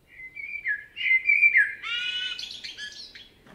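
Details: Common blackbird singing in a forest in Spain: a rich, fluty phrase of slurred whistles gliding up and down, followed by a harsher, rapid twittering tail.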